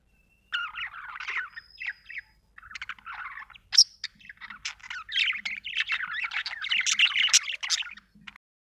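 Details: Budgerigar chirping continuously: fast, scratchy warbles and squeaks that build into a dense, lively chatter over several seconds before stopping abruptly.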